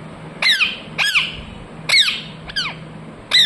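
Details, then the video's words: Short, bright parrot squawks sweeping down in pitch, five calls roughly every half second, over a faint steady hum. "Parrot chirping sounds"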